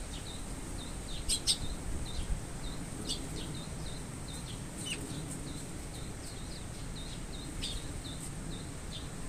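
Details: Eurasian tree sparrow young calling with its parent close by, recorded August 2022. A steady run of short high notes, about two each second, with scattered louder chirps near the start and middle, over low rumble and a steady hiss.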